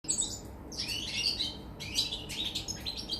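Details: European goldfinch song recorded 24 August 2019: bright, rapid twittering phrases high in pitch, a short trill at the start, then a pause before liquid chattering bursts resume, with a steady low background hum.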